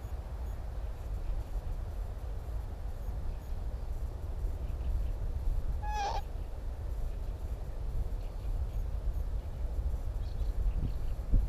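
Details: Northern lapwing in the breeding season on Timiryazev field near nests: a single short wavering nasal call, rich in overtones, midway through a long stretch of low wind rumble with no other clear sounds.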